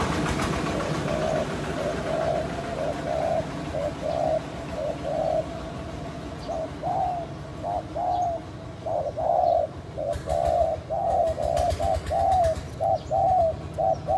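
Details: Spotted dove calling to stimulate and lure other doves; a series of short, low, hollow coos repeated roughly once a second, some in quick doubled groups, over steady background hiss with faint ticking.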